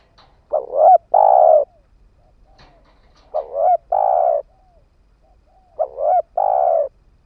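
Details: Ground decoy spotted dove cooing to entice wild birds, three phrases about two seconds apart, each a quick double note followed by a long even burry coo.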